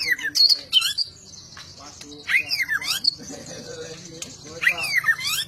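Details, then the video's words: White-rumped shama singing a varied run of whistled notes, with rising and falling sweeps and quick chirps in bursts separated by short pauses, while people talk softly in the background. "Kicau burung murai batu super"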